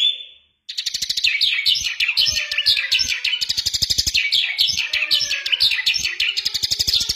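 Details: An Iranian Mashadi lark sings a long, rapid, unbroken stream of high, scratchy chirps and trills, with a brief whistled note before the song starts.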